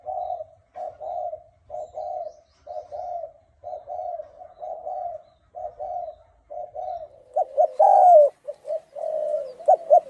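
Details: Hoarse-voiced Thai-strain spotted dove cooing to provoke other doves: a long even run of short, low, muffled coos at about one per second, turning louder and more broken near the end.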